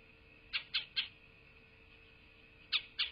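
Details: At a southwest Florida nest on 8 November 2023, a nest camera picks up a wild bald eagle around midday. Three sharp, high chirps in quick succession, a pause of almost two seconds, then two more chirps.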